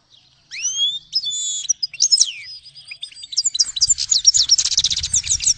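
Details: Grey-headed goldfinch singing a lively medley of rising whistles, sharp slurred notes and a long run of quick, bright repeated chirps, with faint low rumble underneath toward the end.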